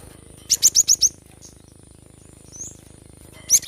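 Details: Cinereous tit in full voice, for prompting reluctant birds to sing: a fast run of five high, clipped whistled notes at an even pace, a faint soft note after a pause, then another sharp burst at the end.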